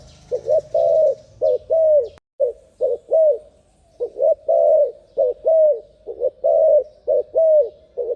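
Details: A turtle dove gives quick, arched cooing notes in tight bursts of two to four, about two a second, with one sharp click early on; the recording is possibly sped up.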